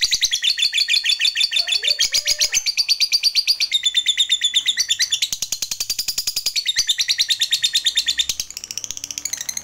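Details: Fighter lovebird in full ngekek, a long chatter meant to prompt other lovebirds to start singing; shrill rapid pulses pour out continuously across ten seconds, shifting pitch in several sections.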